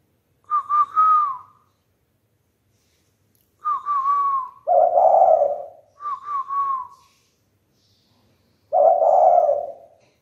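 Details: Spotted dove in training, practising the khiển khách cooing style: phrases of two or three short, wavering whistled coos, some followed by a lower, breathy, drawn-out coo, repeated about every four seconds in a quiet room.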